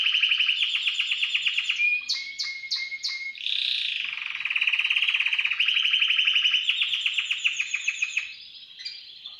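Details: Timbrado canary in an aviary cage, singing fast pulsed trills, then a run of four separate whistled notes, a slurred sweeping phrase, and more sustained rolling trills that gradually soften.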